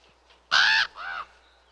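A raven gives two harsh, hoarse croaks in quick succession, the first loud and rasping, the second shorter and softer.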